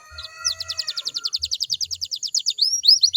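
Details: Canary song played as a lure to get other canaries to sing back: a fast, high trill of evenly repeated rolling notes, about four per second, ending in rising sweeping whistles.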